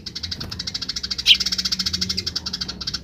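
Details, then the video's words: Grece call of wild Eurasian tree sparrows, answered by other wild sparrows: a rapid, even rattle of clipped notes, about ten per second, continues throughout with one louder chirp near the middle. "suara burung gereja liar grece"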